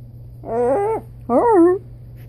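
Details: Pet blue-and-gold macaw indoors, playing a copying game with its owner: two drawn-out, voice-like harmonic syllables, the first wavering then falling, the second sliding down in pitch, with a steady low hum in a small room.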